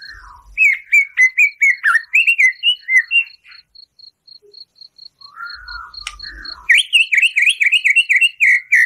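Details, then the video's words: White-rumped shama 'tembakan' song to rouse a caged bird; rhythmic repeated whistled notes, a quiet pause, then a fast high rippling series of falling notes, over a constant soft ticking. "Murai Batu Gacor Full Isian Tembakan kasar, Sangat Ampuh Untuk Pancingan Emosi Murai"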